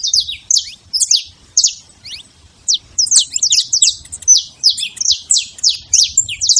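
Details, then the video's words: Free-living saffron finch in nature giving sharp, high, downward-sweeping chirps, a short phrase, a pause, then a longer fast series of bright notes. "canário da terra livre na natureza"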